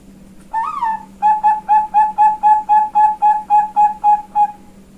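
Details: Ngayun-style front voice of a female Bangkok zebra dove kept at a Kebumen bird farm in Central Java, Indonesia: a drawn-out bending first note followed by a quick, regular string of roughly thirteen soft hooting coos; faint constant hum beneath.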